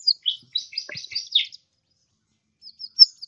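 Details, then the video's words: Kolibri ninja sunbird in lively song, used as training material for songbirds: a burst of scratchy, jumbled high twitters for a second and a half, a pause, then a few thin, sharp chirps. "suara burung kolibri ninja gacor"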